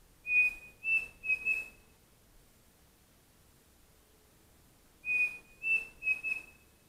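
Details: Whistled phrases of a pavonine cuckoo recorded in foggy morning woods at Mato da Capela, Bozano, Rio Grande do Sul, Brazil: two bursts of three clear, high notes, about four seconds apart, with quiet between.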